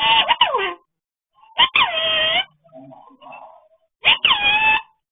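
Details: Pet parrot talking indoors: loud, harmonic, voice-like utterances in short bursts, some swooping downward in pitch, separated by pauses, with faint soft sounds in the gaps.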